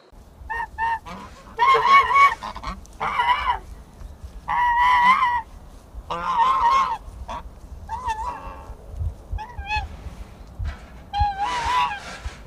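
A goose honks loudly and repeatedly, harsh nasal blasts of varying length coming several times a second in irregular bursts, with faint background hiss.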